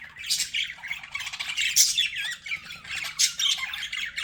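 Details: Pet budgerigars, likely several together, with dense bursts of harsh scratchy squawks and warbling chirps, high-pitched and irregular, rising and falling in loose waves with short quieter gaps.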